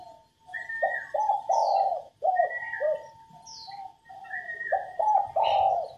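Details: Female spotted dove cooing to get males singing: repeated phrases of short low coos leading into a long, swelling note, three phrases in all, with thin whistled notes and quick high chirps from other birds.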